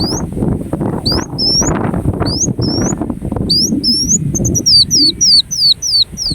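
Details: Ruby-cheeked sunbird, called kolibri wulung, uttering thin high upslurred notes that speed into a rapid series of sharp descending sweeps, over low background rumble.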